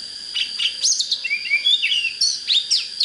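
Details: Oriental magpie-robin singing to stir a bird into fighting form: high whistled phrases sliding up and down, quick warbled notes and sharp rising slurs over a constant high-pitched background hum.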